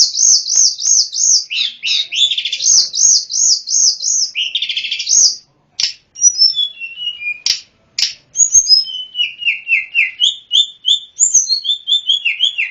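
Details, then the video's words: Snowy-browed flycatcher singing as a tutor for other birds: a fast series of repeated high arching whistles, then varied shorter notes and descending whistled slurs after brief gaps. "Masteran sulingan gunung full isian || Tledekan gunung gacor || Sulgun nyuling-nyuling"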